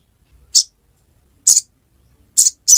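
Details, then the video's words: Little spiderhunter (sogon) song in the ngiriwek style: four short, high, sharp chip notes spaced irregularly about a second apart, with near silence between them. "Sogon | Kicauan ngiriwek"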